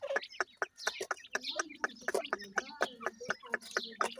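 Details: Grey francolin (dakhni teetar) chicks while feeding: quick sharp clicks and short high chirps repeated about twice a second, with a low steady hum underneath.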